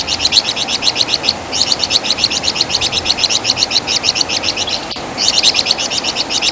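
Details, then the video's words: Flamboyan bird, known in West Java as Wergan Jawa, sung as a tutor song for training songbirds: rapid, high, dry chattering notes repeated in long fast runs, broken by brief pauses, over a steady hiss. "Masteran Suara Burung Flamboyan | Wergan Jawa"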